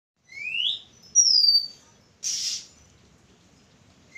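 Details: Oriental magpie-robin singing on 11 April 2023. Clear rising whistled note, then a sharp high descending whistle, followed by a harsh burst, with a quiet pause and a further rising whistle at the end.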